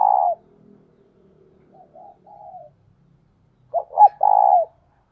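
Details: Spotted dove decoy call to attract wild doves: a phrase ending, some faint distant coos, then a strong full phrase of two brief notes and a long, even, slightly buzzy coo.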